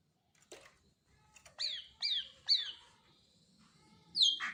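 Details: Greater green leafbird: a run of three sharp downslurred whistled notes after soft clicks, ending in a louder descending sweep, with faint low background rumble.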